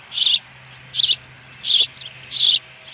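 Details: Osprey at a nest with a live fish, recorded at 4:58 PM on 26 May 2020 at Dunrovin Ranch: four sharp, high, squeaky chirps, evenly spaced under a second apart, over a faint low hum.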